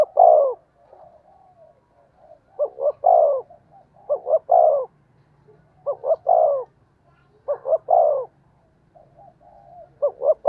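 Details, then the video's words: Loud spotted dove cooing intended to attract wild birds; repeated phrases of two to three brief notes plus a longer falling coo come every second or so, over a faint low hum. "tiếng chim cu gáy gù hay và vang một vùng, giọng này bổi nghe là về"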